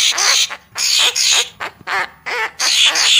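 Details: Lure song of a Papuan magpie-robin: grating, scratchy bursts in quick succession, some with a wavering buzzy edge, separated by brief pauses.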